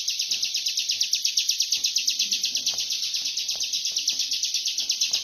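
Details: Continuous rapid ngebren singing by a bar-winged prinia, a dense stream of sharp, high, evenly pulsed chirps repeated roughly twice a second with no pause, over a quiet background.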